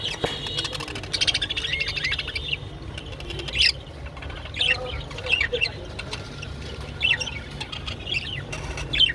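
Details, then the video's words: Japanese budgerigars during mating give short, high, scratchy chirps in loose bursts every second or so, with soft wing flutters and a steady low hum behind. "japanese budgerigar mating and sounds"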